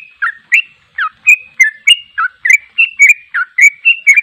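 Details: A sooty-headed bulbul's energetic ropel singing: crisp, liquid notes that swoop down and up, repeated quickly and steadily in a clean recording.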